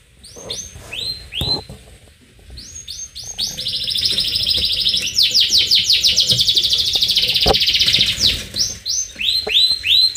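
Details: Canary singing vigorously in the gacor 'nyerang' (attacking) style: bursts of rapid, downward-sweeping whistled notes, then a long, loud, dense buzzing trill from the fourth to the eighth second, followed by more quick repeated sweeps.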